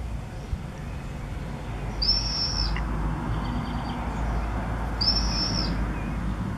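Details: Common swifts at the entrance openings of observation nest boxes built into a home in Beek-Ubbergen, Netherlands, on 8 June 2014; two piercing high screams, each under a second, spaced about three seconds apart, with steady low hum behind.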